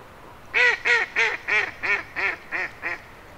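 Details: Canada geese calling: a series of eight nasal honks, each about a third of a second apart, evenly spaced and slightly weakening toward the end, over a quiet background.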